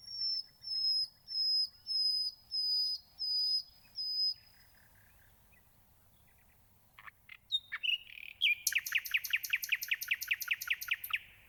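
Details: Nightingale song: a series of long, pure, high whistles repeated about every half second, a pause, a few sharp notes, then a rapid loud burst of repeated chirping notes.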